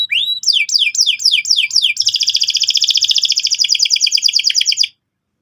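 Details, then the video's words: Singing canary used as a lure to set another bird rolling. A rising whistle opens, then rapid downward-sweeping notes repeat several times per second, giving way to a fast, steady rolling trill before ending. "PANCINGAN BURUNG KENARI GACOR SEKETIKA BIKIN PAUD NGEROL NGK MAU DIAM"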